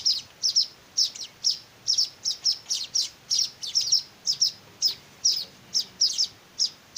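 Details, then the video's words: Weaver chicks begging while being hand-fed: sharp, very high chirps in a rapid, uneven series, some doubled, about seventeen in seven seconds, against a quiet background. "meloloh anakan burung Manyar"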